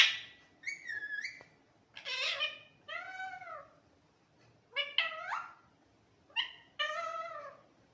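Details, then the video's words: Parrot chattering in its own voice, giving arched, harmonic, speech-like syllables in short bursts of two to three, separated by brief pauses, with a faint room hum behind. "nonstoptalkingparrot real voice"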